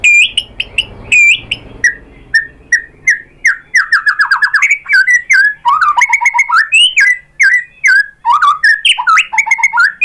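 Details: White-rumped shama singing to make other shamas answer: opening harsh notes, then a fast continuous stream of rich fluting whistles that swoop up and down, some phrases repeated.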